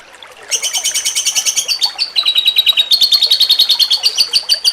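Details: Grey-cheeked bulbul (cucak cungkok) jengking munting song, used to train songbirds for contests: quick, high, metallic pulses repeated about three times a second, briefly pausing and then resuming at a slightly lower pitch.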